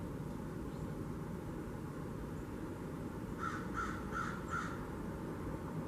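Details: Blue jays visiting a bird feeder in a kitchen garden, 13 October 2021. Four rasping notes come in a rapid, even series late in the recording, against persistent low background noise.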